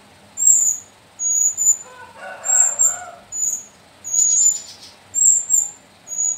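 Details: Captive young Sooty-headed bulbul chicks from Mount Sumbing slopes, three females and one male. Sharp high squeaky chirps repeat roughly once a second, often paired, with a short lower noisy burst early on.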